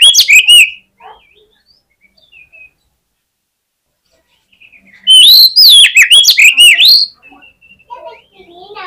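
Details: Oriental magpie-robin fighting song, used to provoke rival males. Two loud bursts of fast, swooping, high whistles mixed with chattering chips, separated by several seconds of near silence with a few faint notes.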